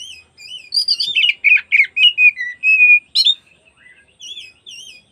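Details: Oriental magpie-robin singing as an afternoon lure to stir rival magpie-robins into opening their tails: a rich run of loud, varied whistled phrases and trills, a sustained pure note, then softer looping whistles.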